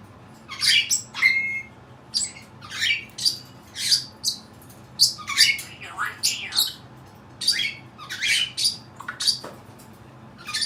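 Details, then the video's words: Captive Cape parrot giving odd sounds inside a room, a steady run of harsh high squawks and rasping notes spaced roughly every half second to second, some with whistled tones. "making some odd sounds"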